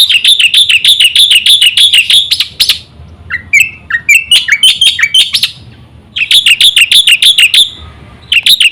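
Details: Black-winged myna singing a full, varied song, played to lure other mynas into singing: fast runs of loud, sharp chattering notes about three per second, with a brief pause and scratchy lower phrases mid-clip before the rapid chatter resumes.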